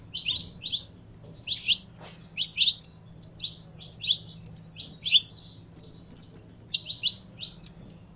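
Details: Kept Saffron finch warming up, singing a lively run of high chirps and clipped whistles, mostly paired or tripled notes repeated steadily for about eight seconds against a low background hum.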